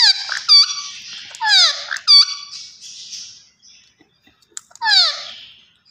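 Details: Talking green ringneck parakeet producing a run of loud, raspy, strongly harmonic calls that slide downward, some clipped and choppy, with a pause before one last drawn-out falling squawk.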